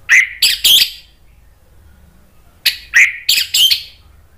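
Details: Agitated orange-headed thrush responding to a lure recording: two groups of three or four loud, raspy, squealing notes, each group about a second long, separated by a quiet pause.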